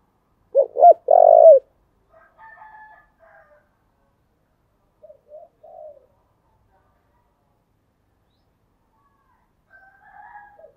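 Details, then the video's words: Spotted dove used as a calling lure: two loud hollow coos at the start, then faint, softer cooing phrases spread through long silent gaps. "Chim cu gáy chơi đủ bài thúc gù gáy gọi"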